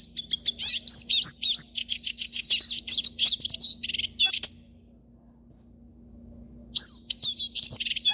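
A siskin sings a fast, high, twittering run of chirps and buzzy trills for about four seconds, pauses, then starts again, over a faint low hum.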